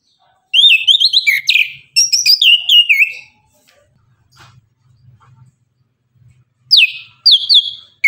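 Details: Orange-headed thrush in full morning 'tembakan' song: two long bursts of rich, slurred, downward-sweeping whistles, a quiet gap with faint low murmuring, then sharp rising whistles repeated about every half second.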